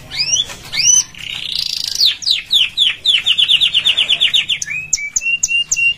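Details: Canary singing for training: upward-slurred whistles open, then a buzzy roll, a fast series of sweeping notes, and clean level whistled notes at the end; faint low hum underneath.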